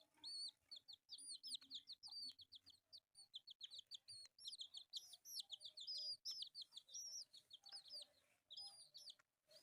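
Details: Four colourful pet chicks cheep almost nonstop while playing, thin high whistled peeps arching sharply, many overlapping, in a busy chorus with quiet gaps and small clicks.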